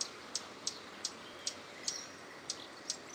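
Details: Swallow-tailed hummingbird singing at Parque Luis Latorre, Itatiba, São Paulo, Brazil, 12 August 2017 at 07:40: thin, very high, sharp chips, about eight in three seconds at a slightly uneven pace, over a faint background hiss.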